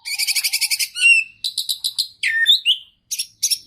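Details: Caged oriental magpie-robin in full song packed with imitations, meant to spur quiet birds into singing: a fast rattling trill of repeated high notes, then slurred whistles and short bursts of chatter.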